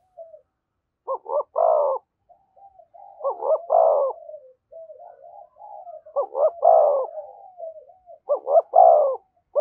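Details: Spotted dove giving 'thúc gù' style cooing near a decoy bird: deep hooting phrases of two quick notes and a longer burred coo, recurring about every two and a half seconds, linked by soft low murmuring coos.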